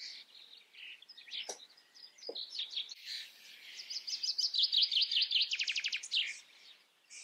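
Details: A common starling, filmed likely around the Eifel, Germany, runs through a rambling, high medley of squeaky whistles, clicks and chatter, ending in a fast dry rattle.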